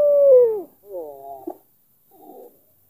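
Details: Albino black-collared Barbary dove cooing to lure a rival into answering: one falling drawn-out coo, then a short stacked burst of notes and a faint low murmur, with quiet gaps between.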